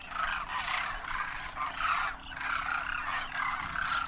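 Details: Large wild flock of Demoiselle cranes, first-year juveniles with adult parents, wintering in Rajasthan, India, trumpeting in flight. Overlapping rolling calls rise and fall in bursts about every half second, forming a dense, continuous chorus.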